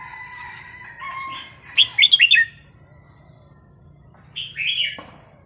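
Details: Red-whiskered bulbul, sung in a varied style to tutor young birds: a quick burst of four bright whistled notes, later a slurred warble, with softer chirping from other birds and a steady high whine.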